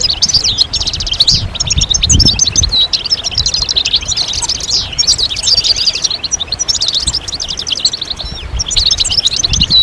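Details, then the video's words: Collective twittering of European goldfinches, used to encourage males to sing: sustained bursts of high, rapid chirps and rattling trills with brief lulls, low background rumble throughout. "بتبتة الحسون أفضل البتبتات الجماعية stimulation de chant chardonneret"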